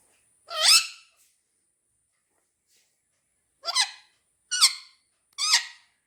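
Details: Two pet parrots squabbling indoors over a football: one loud harsh screech, a pause of nearly three seconds, then three more raspy squawks in quick succession, each rich and buzzy with a broad noisy tone.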